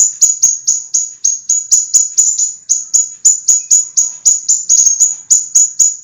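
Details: Scarlet minivet song from a master recording for cage-bird training, a continuous stream of crisp, high, downslurred whistled notes repeated about three times per second, loud and clean without background sounds.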